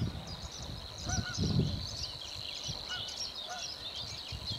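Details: Savi's warbler reeling early morning on 25 April 2011 at Slapton Ley: a steady, fast, high buzzing trill running unbroken throughout, with faint honking calls, probably geese, and low wind rumble beneath.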